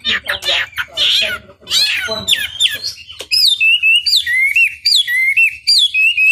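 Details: Chinese hwamei singing to provoke rivals into answering: opening harsh, chattering notes, then a clear sequence of loud looping whistles repeated steadily, each phrase rising and dropping.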